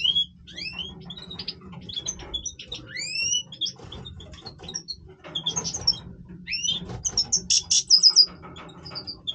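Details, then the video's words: European goldfinch, major singing its breeding voice: bright twittering song of quick upslurred whistles and buzzy notes, with a rapid high trill near the end over a low steady hum. "Stieglitz Major Breeding Voice - singing Goldfinch"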